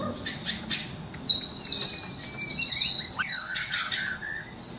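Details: White-rumped shama song used for morning bird training, with a long high buzzy trill, rapid clicking bursts and a swooping whistled note.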